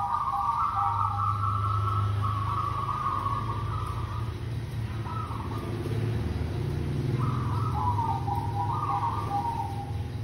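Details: Zebra dove of a local strain, played as a lure: long rolling trilled coos in phrases of one to four seconds with short pauses, backed by a continuous deep humming rumble throughout.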